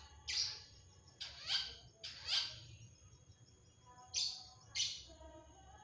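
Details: Long-tailed shrike singing: loud harsh buzzy bursts, five spaced notes roughly a second apart, with faint softer chatter and steady background hum.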